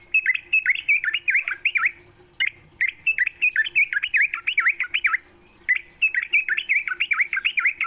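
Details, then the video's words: Morning song of a sooty-headed bulbul used to coax caged birds into singing: rapid runs of bubbly, dipping whistled notes in bursts, with one short pause, over constant high hiss and low hum. "Pancingan TRUCUK PAGI hari, bikin trucukanmu gacor sepanjang hari."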